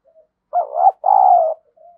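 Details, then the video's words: Decoy spotted dove kept to provoke rival doves, cooing: one loud two-part phrase of low, rounded, hollow notes, the second held longer and steadier, with faint soft notes before and after. "Chim Cu Mồi, cu gay kich boi nhanh noi gù+kích bổi hàng ngày"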